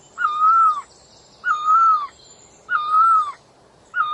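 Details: Clear, drawn-out hooting notes from a bird locally named puj daum or nok tong lo, level then dropping at the end, repeated about every 1.2 seconds against near silence.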